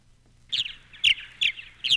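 A Purple Martin gives four rich, gurgling chirps, each about a quarter second long and spaced roughly half a second apart, against a quiet background.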